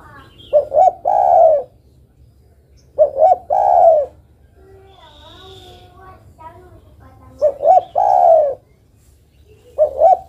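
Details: Female derkuku calling the male. Two double-hoot-and-long-coo phrases are followed by a brief human voice, then two more phrases of short rising hoots running into low drawn coos.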